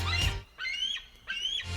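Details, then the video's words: A bald eagle gives its real, cackly call: two thin, high, slightly rising whistled notes about half a second apart, after a brief burst of voice and music. "BUT IN REALITY, THE EAGLE'S CALL IS LESS MAJESTIC AND MORE, WELL, CACKLY. HERE, LISTEN FOR YOURSELF."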